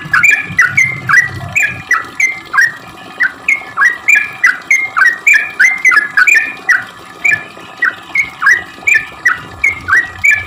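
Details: Lively sooty-headed bulbul song for luring other bulbuls: a continuous stream of rapid, bubbly notes that dip and rise, roughly three each second, for the whole stretch.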